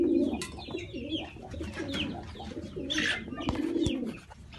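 Bukhara pigeons give low, rolling, continuous cooing in a small room, with a few thin chirps from other birds above it.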